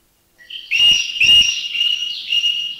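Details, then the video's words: Common green magpie giving loud, strident, high, steady whistled notes over rustles, recorded in Thai national parks (Khao Yai, Doi Inthanon, Doi Suthep-Pui, Chae Son); a greater necklaced laughingthrush calls briefly in the background. "thrush. The green magpie is the one with the strident call. Number"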